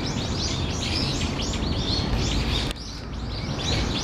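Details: Brown-eared bulbul (Hypsipetes amaurotis) gives shrill, squealing notes in quick overlapping bursts, about two a second, over a low rumble, recorded 14 October 2015 around 13:25; the recordist wonders if it is an earthquake-warning call.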